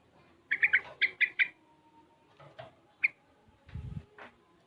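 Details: Six-month-old yellow-vented bulbul practising ropel and garuda styles: a quick run of six loud bubbly notes, then scattered single notes and a low rumble.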